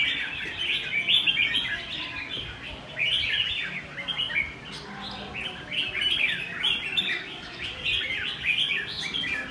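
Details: Red-whiskered bulbul in the "ché" song style: bursts of quick, high, twittering whistled notes run together in long chattering phrases with short gaps between them.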